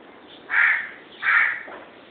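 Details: Two harsh, rasping screeches from a pair of pet lovebirds, evenly spaced about three quarters of a second apart over a quiet background.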